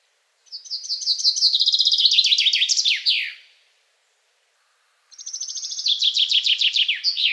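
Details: Two song phrases from a male Common Chaffinch in Poland, each a rapid, bright, descending run of twittering notes in several parts ending in a loud, clear flourish, separated by a brief pause.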